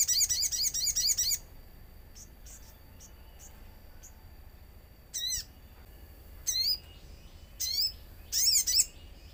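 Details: Common iora in full song, played as a lure to get other ioras calling, with nature sounds: an opening rapid run of high chirps, then fainter ticks and scattered sharp, downward-sweeping high notes.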